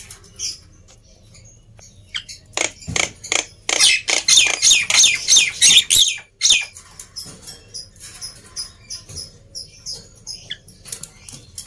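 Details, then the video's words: Quiet start giving way to a loud mid-section of rapid, raspy chatter from a black-winged myna, played to stir lazy mynas into singing, fading afterward into softer scattered notes. "Kicauan Burung Jalak Putih Gacor Ribut || Pancingan Burung Jalak Malas Bunyi"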